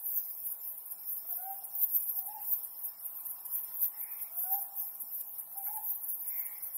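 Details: Ryukyu scops owl on a harvest-moon night, giving faint, short hooting notes spaced about a second apart, set against constant shrill insect noise and a few hazy higher calls.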